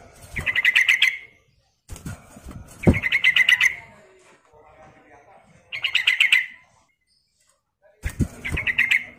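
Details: Sooty-headed bulbul female calling the male, a lure call: four bursts of fast, rattling chatter, each about a second long, separated by pauses, with thumps and faint background noise.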